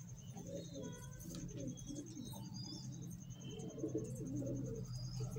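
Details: Pigeons described as fine birds, several cooing at once in a small room: deep, murmuring, bubbling coos that rise and fall without pause over a low hum.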